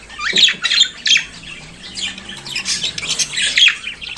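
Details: Budgerigar, a pet bird native to Australia, singing in the morning: a dense run of harsh squawks, chattering warbles and high buzzy notes, loudest near the start and again toward the end, with no other clear sounds.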